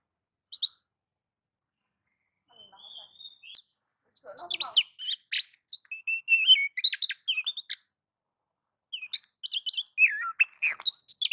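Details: White-rumped shama in ngobra and nagan singing mode, used to draw other shamas into song: scattered whistles and a softer lower warble, then a lively mix of sharp chips, level whistles and falling sweeps, with gaps between phrases.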